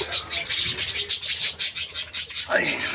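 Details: Small parakeet colony held in captivity, 14 January 2025, chattering rapidly in rhythmic high bursts, with a single swooping lower note near the end.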